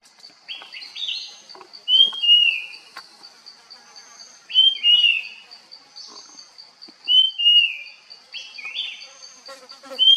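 Puff-throated babbler giving short, clear whistled phrases that slur downward, repeated about every two seconds, over a steady high insect drone.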